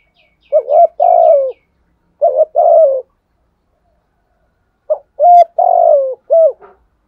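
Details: Spotted dove calling in the 'thổ sấm' style to lure wild doves into replying: three soft coo phrases separated by a long pause, with faint high chirps from another bird at the start.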